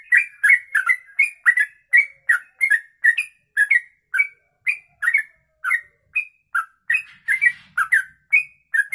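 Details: Trucuk (yellow-vented bulbul) giving a long 'ropelan' song for use as tutor audio: an unbroken series of lively bubbling whistled chirps, rising and dropping in pitch, about three each second, with a soft rustle near the end.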